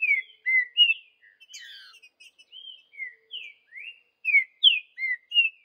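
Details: Green-winged saltator singing in the bush: clear, rich whistled phrases of short slurred notes, some rising and some falling, in quick bursts with brief pauses.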